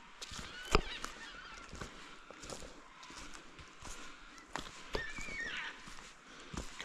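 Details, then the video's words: Black cockatoos bedding down for the night at dusk in April near marshes give harsh, grating honks and wails at irregular intervals, some loud and near, others distant, over a steady evening hiss. "can hear the black cockatoos bedding down for the night, carrying on. A"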